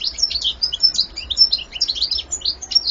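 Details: Fast, unbroken goldfinch song: bright, liquid twittering notes tumbling over one another in quick succession for the whole three seconds, high-pitched and clear against a quiet background.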